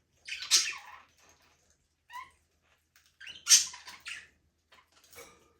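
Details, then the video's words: Budgerigars in a small aviary, free flying, make two scratchy chirp bursts about three seconds apart, with a brief soft warble between them and quiet pauses. "Budgies parrot #chirping sound"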